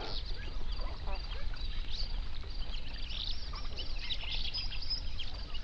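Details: A flock of flamingos on a lake in an Overberg national park, South Africa, binaurally recorded around sunrise. Constant high, nasal gabbling from many birds at once, blending into a continuous, shimmering chorus over low rumble.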